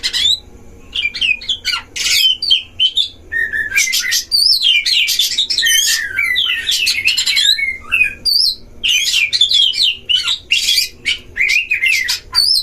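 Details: Oriental magpie-robin (kacer) duel in a breeding cage, played to provoke other magpie-robins into emotion: dense varied song mixing loud rasping bursts with sharp upslurred whistles and twittering phrases, a brief lull around the middle.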